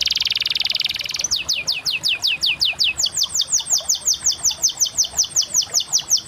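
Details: Canary song opening with a rapid buzzy trill, then shifting to a long, even series of loud, swooping whistled notes repeated roughly three times a second.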